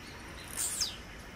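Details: Brief burst of song from a blue-black grassquit in nature: a sharp, buzzy high note sliding downward, about a third of a second long, with faint insect hiss.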